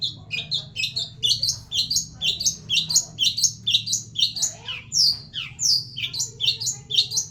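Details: Long-tailed shrike from Indonesia singing old-style 'materi jadul' song material: a rapid stream of high, sharp chattering and slurred whistled notes, about two per second, with squeaky rising and falling phrases over a faint low hum.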